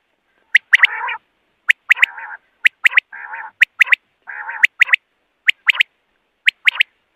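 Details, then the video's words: Common quail calling, a recording meant for night use, gives sharp, liquid three-note phrases, 'wet-my-lips', each led by a soft nasal, buzzy growl, repeated about every second with no other sounds. "common quail voice for night"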